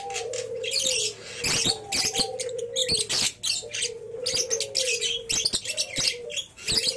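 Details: A juvenile lovebird aged three months, bred from a champion line, chatters in rapid harsh bursts of shrill notes. Gliding mid-pitched whistles continue steadily in the background.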